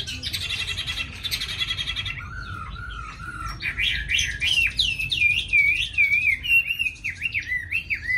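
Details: Caged tame Chinese hwamei from Hanoi, Vietnam, singing readily with a fine voice: opening buzzy rattling trills, followed by loud, looping whistled phrases that rise and fall in quick succession.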